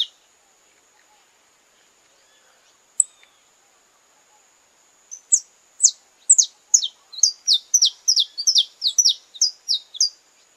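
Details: Saffron finch from Brazil in courtship display: about five seconds of near silence with one sharp tick, then an accelerating burst of loud, descending chip notes that builds into a fast, jumbled chatter and stops.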